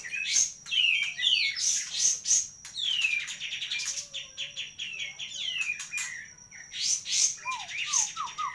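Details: Sooty-headed bulbul pouring out bursts of sharp chirps, falling whistled slurs and fast rattling trills, with a steady thin high tone running underneath and a short series of lower descending notes near the end.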